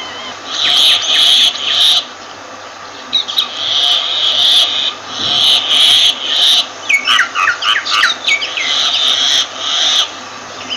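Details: A myna gives repeated bouts of loud, hoarse squawking, broken by a burst of rapid, varied whistles and chattering clicks.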